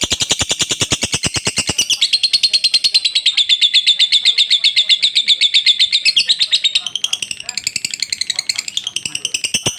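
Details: Lovebird performing a long 'ngekek panjang' trill, used as a tutor recording: a rapid, unbroken stream of high, buzzy pulses, sharply separated at first, then a wavering, sustained chatter lasting nearly ten seconds.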